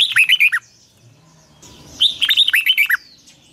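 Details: Red-whiskered bulbul kept as a cage bird, singing a morning training phrase in double, twisting style: two short bursts of bright, fluty warbled notes dropping at the end, over quiet background.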